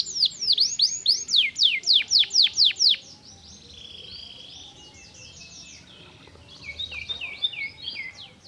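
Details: Canary in stimulating song, opening with a rapid series of loud descending whistled notes, followed by softer rolling trills and a closing burst of quick chirps.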